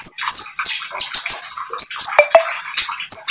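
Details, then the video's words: Speckled-plumaged oriental magpie-robin in energetic, lively song, played to lure other birds into singing along: rapid high, thin whistles and sharp chirps tumbling in dense bursts with quick pitch drops, barely pausing. "KONIN TROTOL GACOR MEMANCING KONIN BAHAN AGAR ikut BUNYI"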